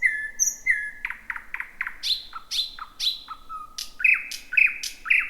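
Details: A thrush nightingale heard at night in dense scrub, season's first in 2026, gives drawn-out level whistles, stuttering notes, loud sweeping phrases and a final series of piping notes.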